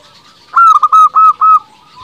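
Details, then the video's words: Zebra Dove of local stock singing steadily as a lure for rivals: one quick burst of five clear, round mid-pitched coo notes, the first slightly higher and longest, then a soft trailing murmur. "Perkutut lokal gacor paling ampuh untuk pancingan belum satu menit bikin lawan sudah pada nyaut"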